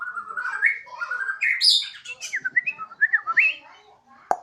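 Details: Home-kept Borneo white-rumped shama singing eagerly near a terrace, with a siren-like song: sliding whistled phrases rising and falling, then a quick burst of sharp high notes and twisting chirps, ending with a single click.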